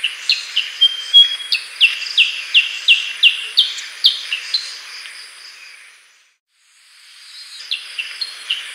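A Black-headed bulbul gives a quick run of high, sharply downslurred chirps, about three a second, then falls quiet briefly before starting again.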